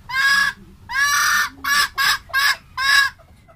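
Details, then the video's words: Red junglefowl hen giving six loud, harsh, nasal calls, the first two longer and the last four shorter and quicker, with a quiet background. "tiếng ga mái rừng mới"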